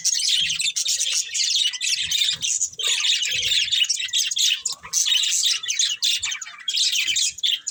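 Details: Continuous budgerigar warbling, dense scratchy chirps and clicks rolling along with only brief dips.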